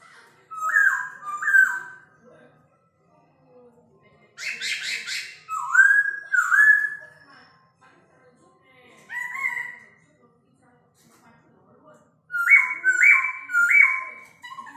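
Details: Rooster-crow imitation sung by an old-forest laughingthrush: clear whistled, stepped notes in paired and tripled phrases, with one harsher burst midway and silent gaps between phrases.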